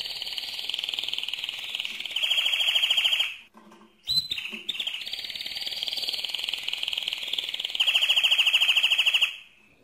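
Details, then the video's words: Mosaic canary delivering loud continuous song, a dense high trill pulsing in rapid beats, broken by a short gap and a few sliding notes, then resuming and swelling louder near the end. "le Chant le plus fort de canari mosaïque"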